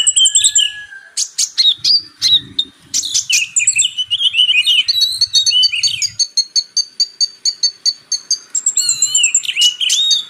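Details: Purple-throated sunbird (kolibri ninja) in a song compilation paired with Oriental magpie-robin, made to tutor magpie-robins: fast, high, varied twittering with sharp ticks and buzzy slurred notes, a faint low hum briefly underneath.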